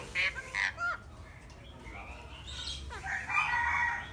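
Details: Eclectus parrot: three quick harsh squawks, then drawn-out grating screeches with rough, noisy texture.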